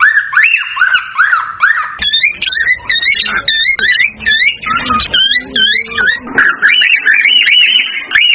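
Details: Male cockatiel whistling an excited breeding song to stimulate a female: varied rising and falling whistled phrases, some higher warbles, with a faint lower tonal sound underneath in the middle section.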